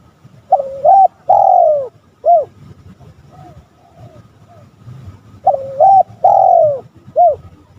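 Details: Spotted dove cooing to provoke rivals, two identical phrases about five seconds apart, each a two-part coo, a long drooping note and a short clipped ending, with faint murmur between.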